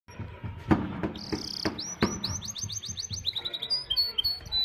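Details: Caged white-and-black cross-colour canary singing to another, loose canary, with a fast cascade of high, sweeping trilled whistles and buzzy rolls, and some low knocking noises at the start.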